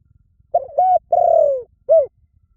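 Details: Spotted dove cooing: a short hooting note, a second even coo, then a long drawn coo sliding gently downward, ending with a brief rounded coo after a pause; low, soft and clear over a quiet background.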